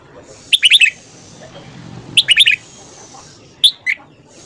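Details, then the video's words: Red-whiskered bulbul singing at morning: two rollicking five-note warbled phrases, then two single sharp notes, bright and quick over a soft background hiss. "luyện giọng chào mào hót sáng"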